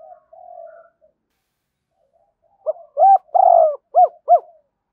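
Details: Decoy cooing of a spotted dove for luring wild birds: a soft drawn coo first, a pause, then a clear run of five or six arched, hollow notes with one longer in the middle.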